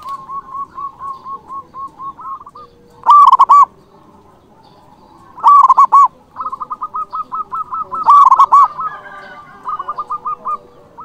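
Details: [1, 'Local zebra dove singing in an emotional mood to call rivals, a lure and model song: rapid staccato runs of soft cooing notes broken three times by loud, ringing, rolled coo phrases.']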